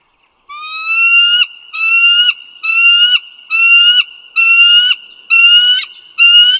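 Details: Seven loud, ringing, upward-sliding whistled calls from a bald eagle at Dulles Greenway, Virginia, 16 April 2022, 08:55, evenly spaced about 0.8 seconds apart, each cut off with a brief downward flick.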